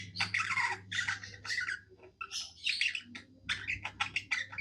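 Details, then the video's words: Pet budgie singing in a happy mood, harsh squawky chatter in short bursts separated by brief gaps, with squeaky chirps and clicks, low hum in the background. "Happy budgie singing"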